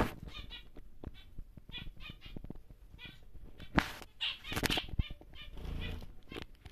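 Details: Captive large male zebra finch of the normal grey colour produces rapid nasal buzzy notes repeated in a quick series, with wing flutters and sharp cage knocks.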